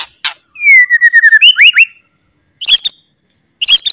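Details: White-rumped shama in loud song to provoke rivals into singing: a long descending whistled trill of repeated notes, then rising whistled slurs and two harsh chattering bursts.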